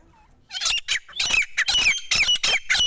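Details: Partridge, known locally as desi teetar, calling: a run of loud, harsh, scratchy notes in quick bursts with short gaps, sounding raspy and strident after a brief quiet start.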